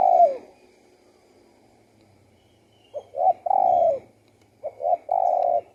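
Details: Spotted dove song: a trailing coo, then after a pause two short rising notes followed by a long drawn-out coo, the three-part phrase given twice, soft and low-pitched.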